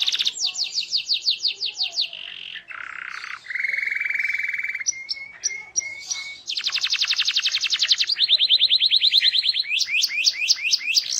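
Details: Canary performing a vigorous song meant to make other canaries respond: fast repeated upswept notes, a low rolling trill, a long even buzz, thin high whistles, then a dense rapid trill and a closing series of sharp upslurs.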